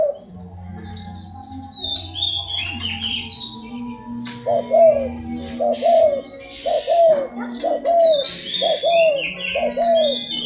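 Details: Hybrid spotted dove cooing steadily: a series of short, low hooting coos repeated roughly once a second, accompanied by faint human voices, high chirping and scattered background noise.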